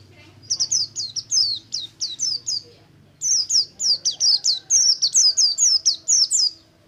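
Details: Ngalas-style song of a Buxtomi oriental white-eye, meant to set flocked white-eyes singing: two runs of sharp, very high descending chirps, each note clipped and quickly repeated, split by a short silence.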